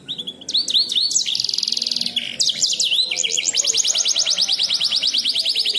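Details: Intricate canary song, recorded as a master song for training songbirds. Looping whistled notes give way to a dense buzzy trill, then a long series of rapid, evenly repeated descending chirps running to the end.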